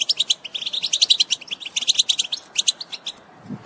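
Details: European goldfinches twittering in a group to stimulate singing; rapid bright chirps tumble along for about three seconds, then fade out near the end.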